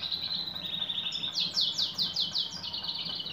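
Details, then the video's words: Female European goldfinch calling to a male: a fast run of short, descending buzzy chirps, about seven in a row, pitched high and sliding downward, after a steadier thin tone, over a low background hum. "بتبتات أنثى مقنين"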